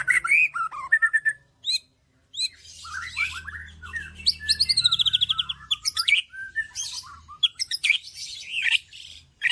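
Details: A white-rumped shama sings energetically, mixing swooping whistles, rapid high chattering trills and sharp squeaky notes. Phrases tumble out with brief pauses between them over a faint low hum.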